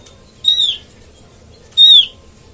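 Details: Oriental white-eye call used to lure birds into traps: two high, clear downslurred whistles about 1.3 seconds apart.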